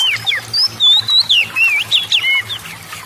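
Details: Oriental magpie-robin singing to provoke other birds to join in: a rapid chain of loud whistled slurs and zigzag notes, around four per second, over a faint low hum.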